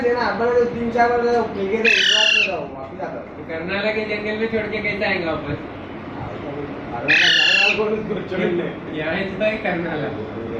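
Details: Curious young parrot brought home in Panvel one Sunday in March 2019 lets out intermittent squeaks: two strident, buzzy bursts about five seconds apart, over steady human conversation.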